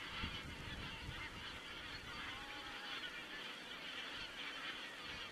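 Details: Geese in Estonia, recorded on 27 September 2017 by a webcam set up to watch cranes; a dense flock chorus of overlapping nasal honks runs without pause throughout, with low rumbling noise underneath.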